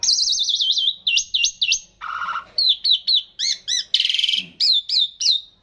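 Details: Javan pied starling giving its long rolling 'ngeroll' song: rapidly warbled high whistles, a buzzy rasp, then a string of sharp down-slurred whistled notes at about three per second.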